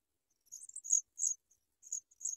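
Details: Sprague's pipit chick being fed while an adult watches it try to swallow food; short bursts of very high, thin, buzzy chirps in irregular clusters, otherwise quiet.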